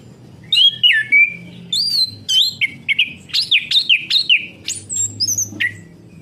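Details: Orange-headed thrush song used to stimulate a bird that has stopped singing: a lively run of loud whistled phrases, sliding notes and swooping upslurs, bursts spaced under a second apart from start to near the end, with a faint low hum beneath.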